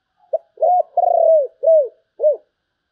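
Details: Spotted dove singing in the prized 'sấm bầu' style: a short soft note, then a series of low mellow coos, including a long pulsed purring coo and two arched coos that rise and fall. The background is otherwise silent.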